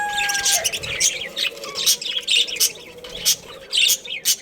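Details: Budgies in a breeding pair make short high chirps and squeaky warbles in separate bursts, about two a second. A brief steady tone is heard at the very start.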